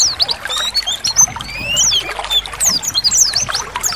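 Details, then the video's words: Oriental white-eyes in a group singing ngalas, played to prompt caged birds to open their beaks and sing; quick high whistles, rising and falling slurs and chirps overlapping, with faint trickling water beneath. "Semua Pleci Langsung Ikut Bunyi Ngalas"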